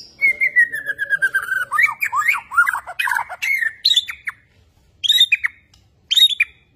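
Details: Borneo white-rumped shama, newly acquired and displaying with insistent bowing; a long descending whistle, a burst of rapid slurred notes, then short separate high, harsh phrases spaced about a second apart.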